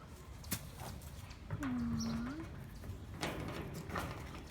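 A raven gives one deep, hollow, slightly dipping tone lasting under a second. Sharp knocking clicks come before and after it.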